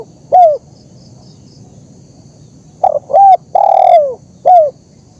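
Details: Spotted dove (terkukur) cooing in a recording meant to train birds and draw wild ones to call: one lone short coo, then a pause, then short notes leading into a long descending coo and a clipped ending coo.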